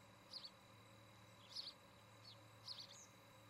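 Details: Osprey at a nest in Charlo, Montana, captured by a nest camera on 17 August 2018 around evening. Three short clusters of high, piercing chirps about one to one and a half seconds apart, with a low steady hum beneath.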